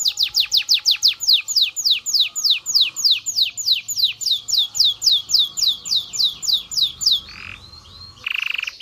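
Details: Canary song used to excite males and females for mating. About thirty loud downslurred whistles repeat steadily, roughly three per second, and end in a few short buzzy bursts.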